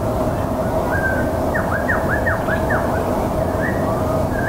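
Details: Blue whistling thrush (Myophonus caeruleus), call.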